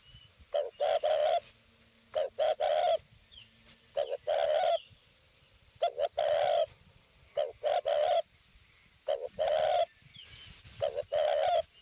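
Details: Spotted dove kept as a decoy in northwest Vietnam, cooing persistently: about six phrases, each short notes then a drawn-out trilled coo, roughly every two seconds, with a steady thin high tone underneath.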